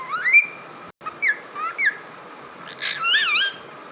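A cockatiel sings clear rising whistles, then a quick wavering warbled phrase.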